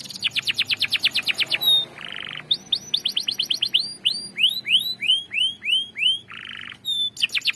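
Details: Canary giving a long ngerol roll to prompt a silent canary: a rapid rattling run, short buzzy blocks, then a series of rising whistled slurs about twice a second.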